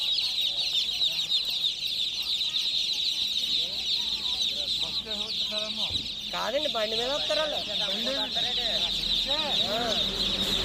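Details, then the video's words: A constant shrill peeping from many chicken chicks. Scattered soft notes come first, then a burst of arching, wavering harmonic calls from the middle onward. "MURGI CHICKS CHIRPING SOUNDS"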